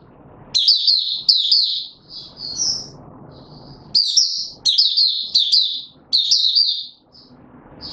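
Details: Male white-eye, recorded 31 December 2021 while being brought into form, pours out high jumbled twitters and thin whistles in bursts of a second or two, with low rumbling background noise between phrases.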